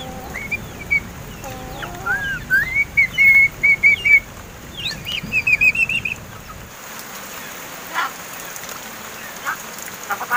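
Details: A captive crested myna, seven months old and learning to talk, gives a run of bright repeated whistled notes that rise and then wobble in trills, followed by near silence with a few faint clicks.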